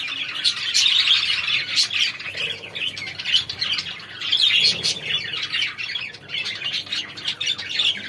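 Budgerigars chatter continuously with high, scratchy warbles, chirps and squawks.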